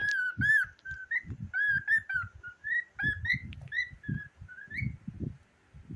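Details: Pet cockatiel chattering with a boy and a cute toy pig: a run of clear, slightly rising whistled notes with bright overtones, given in short bursts about once a second, over the boy's steady talking.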